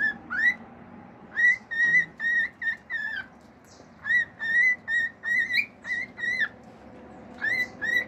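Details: A male pet cockatiel sings natural whistled phrases: bursts of short, clear notes, some sharply upslurred, repeated in quick groups of three to five. The groups are separated by short quiet gaps.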